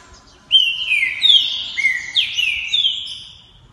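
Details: Competition green-winged saltator, a record-beating multi-champion breeding bird from Santa Catarina, Brazil, delivers a rich phrase of five clear whistled notes, each sliding downward, after half a second of quiet.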